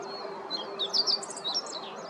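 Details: Meadow bunting on the Yanagishima shore, Chigasaki, Japan, during morning activity on 26 October 2023: a lively burst of high, sharp, twittering chirps peaking in the middle, with a faint continuous hum beneath.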